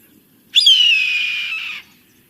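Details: Red-tailed Hawk gives one long, hoarse, descending scream of just over a second, harsh at first and then trailing off, the majestic raptor cry often used in TV and films; nothing else is heard.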